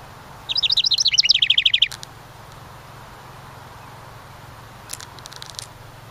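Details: House wren, one of a pair nesting in a decorative ceramic birdhouse beside a cabin: one quick bubbling song burst of rapid stuttering notes descending into a rattling trill, lasting about a second and a half, then faint chips.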